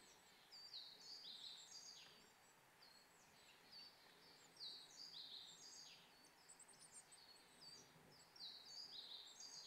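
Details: A flock of Bramblings in the Kanto mountains of Japan in late March keeps up a steady chatter of short, high, overlapping chirps, with a faint outdoor hush underneath.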